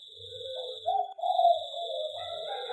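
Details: Local zebra dove singing in an aviary: soft, low rolling coos that swell into a louder trilled phrase midway, then trail off. A steady faint high electronic whine runs underneath throughout.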